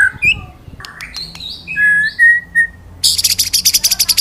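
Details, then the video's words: Shama song recorded to train other birds, 'wit wit cerrrr' style: varied whistled phrases, slurred and stepped in pitch, ending in a fast, high, ticking trill. "Masteran Burung Murai Batu Ngalas Nembak Wit Wit Cerrrr,Suara Murai Gacor 2023"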